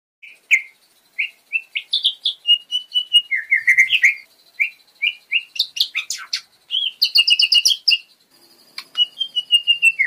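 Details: Lesser green leafbird, a kept bird in full, varied song: short whistled notes and slurred chirps in bursts, some loud, clipped high notes mixed in, with brief pauses between phrases.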